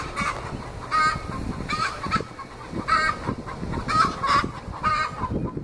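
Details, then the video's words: Backyard 20-week-old Australorp hens, not yet laying, raising a huge fuss with the egg song tied to egg laying: loud harsh cackles with ringing harmonics, repeated irregularly about every second, over low rumbling background noise. "Australorps singing the "egg song""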